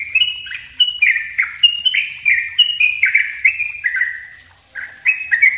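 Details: Dense 'ropel rapat' song of a yellow-vented bulbul, recorded as a lure and master for wild-caught birds: a tight chain of clear slurred whistles dropping in pitch, rapidly repeated with a short gap near the end.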